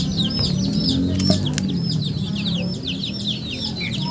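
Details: Chickens giving quick, high, descending cheeps in an uneven stream over a loud low rumble, with a few sharp clicks near the start.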